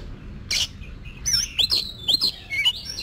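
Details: Oriental magpie-robin under song training for contests gives a brief burst of high, clear whistles and slurred chirps after a noisy rasp.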